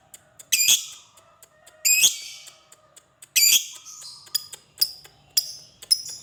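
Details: Lovebird giving the long ngekek call, played as a lure for fighter lovebirds: three loud rasping screeches, then a run of shorter sharp chirps in quick succession, over faint steady whistled tones.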